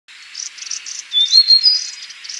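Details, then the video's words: Yellow-bellied warbler song: a few thin, bright whistled notes rising and stepping upward in the middle, over a background of rapid high buzzy pulses repeated throughout. "Suara Asli Cikrak Bambu - Yellow Bellied Warbler"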